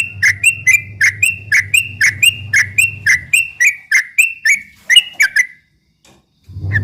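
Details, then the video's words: Rapid ropel chatter of a Yellow-vented bulbul meant to provoke opponents: fast, regular sharp chirps, nearly four per second, stopping after about five seconds; a steady low hum runs beneath and returns at the end. "kicau suara trucuk ropel memancing emosi lawan"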